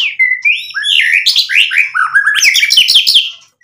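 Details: White-rumped shama singing energetically to provoke another bird into answering: a fast run of varied whistled phrases, first rising and sliding, then a dense stream of sharp chirps and quick trills near the end, fading out.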